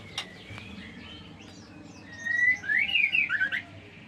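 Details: Six-day-old white-rumped shama chick calling: faint thin notes, then a louder run of warbling, wavering chirps near the end.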